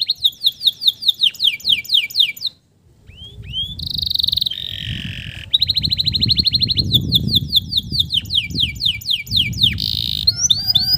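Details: Singing male canary meant to coax stressed, silent canaries back into song: repeated swooping whistles, a short pause, buzzy notes and fast rolling trills, over a low rumbling background noise.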